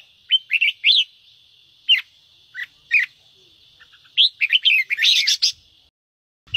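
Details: Red-whiskered bulbul singing a 'ché' style song used to stimulate newly caught birds: bursts of bright, warbling, rising and falling whistled notes in short phrases separated by pauses, over a steady high electronic whine.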